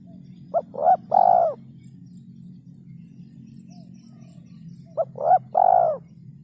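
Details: Spotted dove kuk 2 and kuk 3 lure call, an ending said to be rare: two matching phrases about four seconds apart, each a short note, a rising coo and a long falling coo, over a constant low hum.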